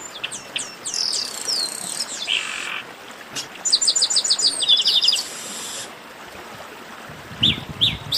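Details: Chestnut-capped blackbird in the 'baderna' song style: high thin whistles sliding downward, then a fast run of sharp repeated chips, a broad hissing buzz, and later a few scattered notes.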